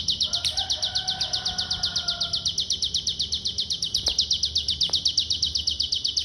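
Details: Pygmy bushtit song described as an unusual short-circuit style; a continuous fast trill of high, sharp notes, with faint lower whistles in the first seconds and a few clicks later.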